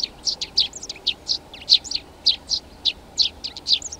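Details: Eurasian tree sparrow chirping busily, dense bursts of short high notes, three or four per second, with no other clear sounds.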